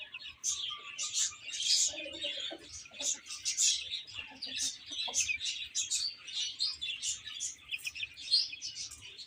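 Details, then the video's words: Baby chickens chirping as they eat and play: a steady rush of thin, high peeps from many chicks, with a few faint lower warbling notes early on. "Cute Chicks Chirping Sounds"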